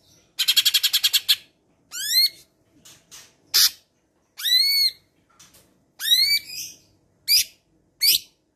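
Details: Cucak ijo from Medan delivering mimicked calls, including sparrow, for song training: a rapid rattling burst of chirps, then loud rising whistled sweeps and short harsh notes in irregular phrases.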